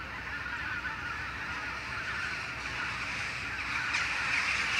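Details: Flock of Western jackdaws meeting in the morning after leaving their sleeping trees; continuous distant chatter of many overlapping calls, swelling slightly toward the end.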